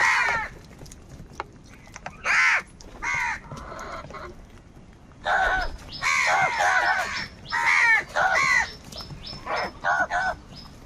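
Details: Several crows squabble over food, calling in rapid clusters of harsh, downward-arched caws that crowd together in the second half, with a thin high tone running behind.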